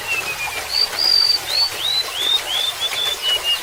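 Golden-bellied gerygone singing a thin, high, wavering string of whistled notes that rises then drifts downward, with faint trickling water behind.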